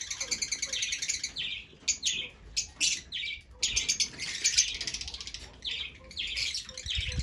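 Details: Fischer's lovebirds calling: a buzzy harsh trill at first, then shrill squeaky chirps in clusters separated by short gaps, fairly steady high-pitched chatter throughout.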